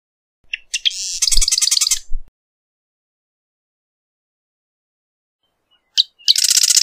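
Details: Two marsh wren songs, each opening with clicking notes that run into a fast, harsh mechanical trill. A long silence separates them, and faint low thumps sound beneath the first.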